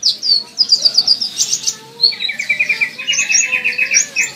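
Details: Purple-throated sunbird (kolibri ninja), a nectar-feeding bird from Indonesia, practising lively song: rapid high thin twittering notes in quick runs, then a fast repeated chip series lower down, continuous across the whole stretch.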